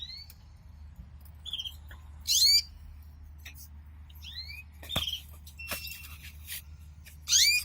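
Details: Pet male canary singing while the female cares for the pair's first egg and fixes the nest, delivering quick high chirps, short down-slurred whistles and two loud, harsh sweeping bursts at start and end, with a low hum beneath.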